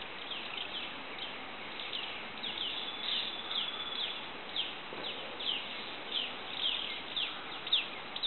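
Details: Golden-headed manakin recorded at Asa Wright Nature Center, January 2011. Short, high, downslurred notes repeat about twice a second in an uneven series against a constant insect buzz.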